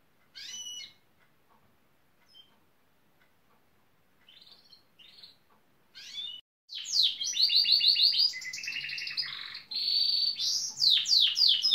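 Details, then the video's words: Gloster canary, a male, singing near a building site where he is said to mimic machines such as a pneumatic drill and digger; faint chirps at first, then a loud run of rapid buzzy rattles and trills from about seven seconds on. "Canary wants to nest with builders"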